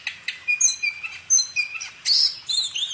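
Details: Short burst of bird song: thin high whistles and a sustained note, then a sharper buzzy flourish and a rising-falling sweep near the end.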